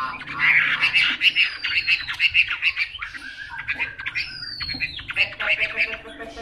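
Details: Chinese hwamei singing a loud, varied song of rich repeated phrases: clusters of bright warbled notes, long descending slurred whistles, and rapid chattering runs, delivered continuously with brief pauses.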